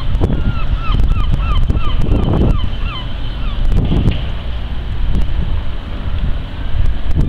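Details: A male Black Redstart on 15 February 2013 gives a quick run of short, upslurred whistled notes, several per second, for about two seconds over heavy wind rumble.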